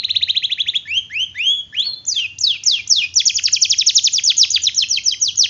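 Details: Singing canary, a lure and tutor recording for canaries that rarely sing, with long rolls: rapid downslurred notes break into swooping slides, then a long quick rhythmic train of high sweeping notes, about four per second.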